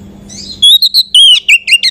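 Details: Oriental magpie-robin song played as a lure to excite other magpie-robins, a short loud run of high whistled notes with quick slurred slides, starting after a low background hum.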